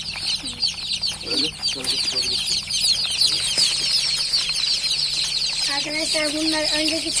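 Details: Newly hatched chicks fill the air with dense, shrill peeping of rapid downward-sliding notes, while a man speaks at intervals, most clearly in the final seconds.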